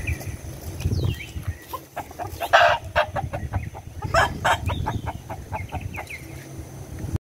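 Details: Roosters crowing, with harsh, loud bursts near two and a half and four seconds amid shorter clucking notes, over a steady low rumble of traffic and faint small-bird chirps.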